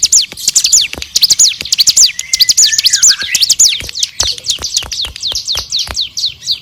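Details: Bar-winged prinia singing busily, recorded as a training song for other songbirds: rapid high chirps sweeping downward, briefly joined midway by a softer, lower whistled slur, then continuing in a steady, slightly uneven stream.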